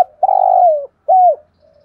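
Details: Spotted dove kept as a decoy, calling in the 'thổ' voice style to stir wild doves into cooing. A long, slightly rough low coo sliding downward at its end, then a shorter arched coo, followed by a faint soft hum.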